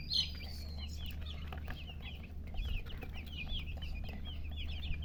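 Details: Many baby chicks peeping together in a dense run of high, looping, downslurred notes, fairly loud and continuous, over a steady low hum.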